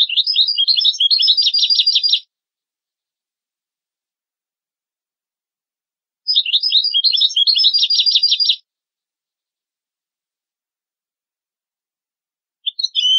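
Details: European goldfinch song for teaching goldfinch and hybrid chicks to sing: two phrases of rapid, twittering, tinkling notes, each about two seconds long and separated by roughly four seconds of silence, then a third phrase begins at the end.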